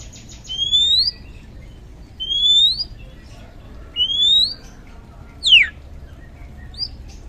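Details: Oriental magpie-robin lure song to trigger singing in quiet birds: three clear upward-slurred whistles spaced about every one and a half seconds, then a steep downward sweep and a short high note.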